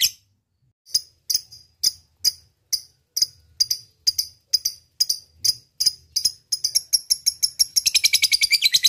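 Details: Lovebird ngekek to provoke a rival: evenly spaced sharp high chirps, roughly two per second, gradually quicken and break into rapid chatter in the final second.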